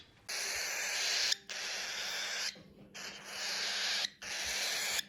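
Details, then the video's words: Cockatiel chicks give harsh, hissing begging rasps in long bursts. These baby noises call their parents for food or attention, and some birds keep making them into adulthood, often mistaken for anger. "so when they're little they make these baby noises to call for food or attention from their mother and father"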